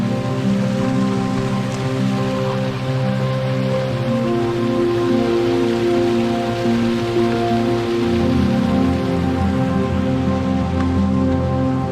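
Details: Steady rain patters on a surface beneath sustained, soft musical tones, with no animal calls to be heard.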